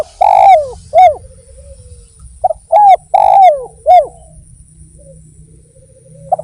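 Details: Zebra dove cooing: clusters of short, clipped, downslurred coo notes given in two quick groups with soft trailing notes, quiet gaps between, low hum in the background.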